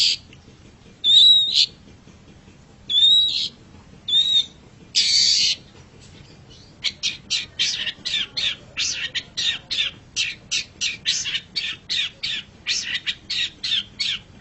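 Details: Long-tailed shrike training song for pet birds: a few harsh squawks and a whistled slur, then a steady run of sharp high notes about two per second.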